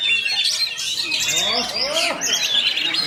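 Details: White-rumped shama song in a dense, continuous rapid stream of varied high chirps, trills and squeaky notes, with sweeping whistled phrases and many overlapping fast elements throughout.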